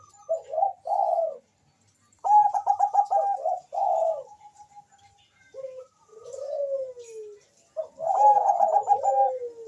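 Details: Lively Bangkok zebra dove song used to prompt mating and singing; gurgling coos, a fast stuttered trill, a softer falling slur and another burst of rattling trill.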